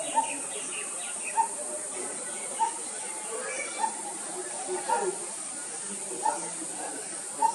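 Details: Coppersmith barbet giving short, hollow, knocking notes at a steady pitch, one roughly every 1.2 seconds, over a constant high insect drone and soft background chirps.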